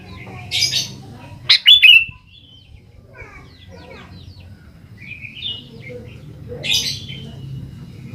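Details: Sooty-headed bulbul song as a lure for young birds: a loud bubbly phrase near the start, surrounded by other scattered chirps and twitters, with a low background rumble.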